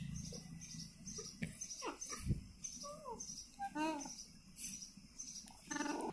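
An Indian ringneck parakeet talks in short, nasal, speech-like syllables with quick rising and falling tones, over a steady low background hum.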